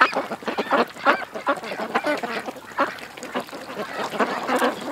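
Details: Ducks at a creek keep up an excited chatter of short, nasal quacks, loud at first, easing off mid-way, then swelling again into a dense burst at the close.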